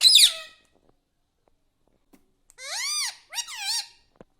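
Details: Talking pet parrot said to say mummy and papa: a short shrill note, a long pause, then two bright, arching, harmonic utterances, the second split into quick bent syllables.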